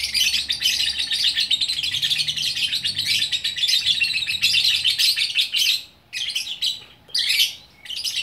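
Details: Gacor lovebird from Bukittinggi, West Sumatra, pouring out a long unbroken stream of shrill, rasping chatter for six seconds, then breaking into three shorter squeaky bursts separated by brief pauses.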